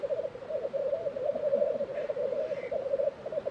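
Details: A black grouse lek in April 2023 at Tiveden, Sweden: a continuous deep, pulsing bubbling chorus, nearly alone, with only a faint distant call of another bird.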